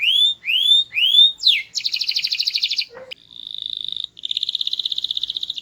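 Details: Energetic small-bodied canary with loud, varied, melodious song: three slow upward-curving whistles, a fast pulsed roll, a brief low note, then a steady whistle and a rapid even trill.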